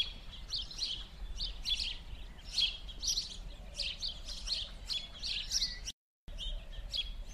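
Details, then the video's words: House sparrows (Passer domesticus) at winter play on a street in Verdun, Montréal, 16 January 2016, chirping steadily in a busy overlapping chatter of short bright notes several times a second, over a low background rumble. "Passer domesticus (moineau domestique) - jeux d'hiver"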